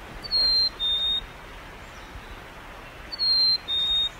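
Black-capped Chickadee whistling its clear fee-bee, a high pure note then a slightly lower one, given twice about three seconds apart over a quiet background.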